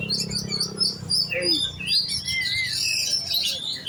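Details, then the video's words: Young oriental magpie-robin trained for contests gives clear rising and falling whistles, then a dense burst of twittering and trilled notes. Low hum is audible at the start. "Burung kacer giras set lomba kejar on ngunci"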